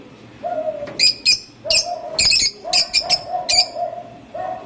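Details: Lovebird giving bursts of shrill, piercing high chirps, some in quick pairs, alongside a steadier, lower hooting tone that recurs through the recording; faint background hum.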